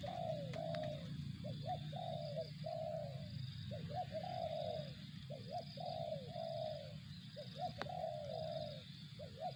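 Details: Spotted dove in 'target zong' style, giving a long run of phrases: quick upturned grace notes, each followed by a sustained, slightly falling coo, repeated about every two seconds over a low constant hum and a faint high tone.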